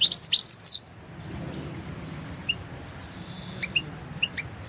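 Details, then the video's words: Competition goldfinch, Carduelis carduelis balcanica, 2022 Serbian-organised world championship: a short burst of sweet rising and falling twitters, followed by quiet isolated chip notes over a faint background hum. "Pesma štiglića 006/22 World Championship in Goldfinch Song"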